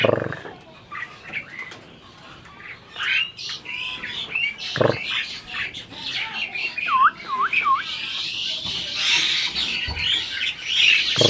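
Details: Asian pied starling adult seeming to talk: quiet clicks and low voice-like bursts build into rising chatter with three clear looping whistled notes, ending in dense harsh high-pitched babble.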